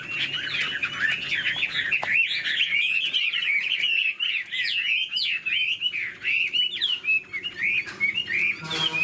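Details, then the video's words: Caged hwamei fanning and flicking its tail while singing gives a long, varied warble of rolling, slurred whistles, loud throughout, with rapid choppy notes toward the end. "Họa mi đuôi xòe chơi cánh, bóng bộ cực đẹp, hót vẩy đuôi khướu"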